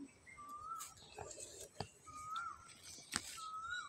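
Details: Asian koel calling at noon near a home vegetable garden: three clear, rising whistled notes spaced about one and a half seconds apart, each sliding upward, with light clicks and knocks in the background.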